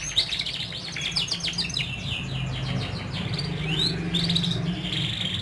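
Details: Several caged canaries singing together as a prompt for silent canaries: overlapping fast chirpy trills and rising whistled sweeps, high and bright, with a steady low hum underneath.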